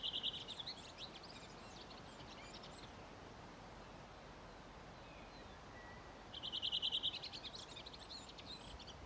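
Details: Dialect song of a Redwing by the gravel pit on the Ljustorpsån, Timrå, Sweden, 5 June 2023: one phrase ends at the start, then after a pause a fresh burst of quick, high repeated notes trails into thin twittering.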